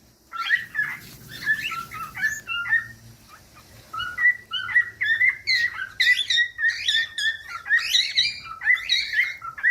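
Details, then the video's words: Captive cockatiel singing a busy, jumbled series of chirps and short whistles, sparse at first and then denser and louder, roughly one note per second with quicker flourishes. "15 MINUTOS DE CANTOS DE CALOPSITA"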